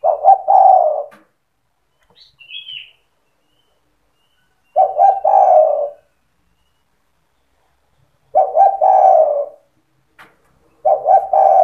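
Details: Cetretan singing by a spotted dove used to get other doves calling: repeated low coo phrases every three to four seconds, each clipped notes leading into a rolling coo, with a short high chirp between the first two.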